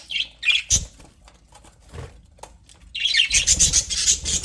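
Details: Happy pet budgerigars in an aviary: a few sharp chirps, scattered clicks, then a steady stream of fast, high, squeaky chatter filling the final second and a half.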